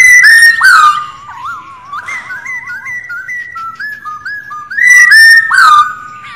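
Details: Loud, busy whistling from a female white-cheeked laughingthrush giving 'ro' calls to stimulate males: strong slurred downward whistles, then a softer stretch of wavering, warbled notes and short repeated whistles, then more loud descending whistles.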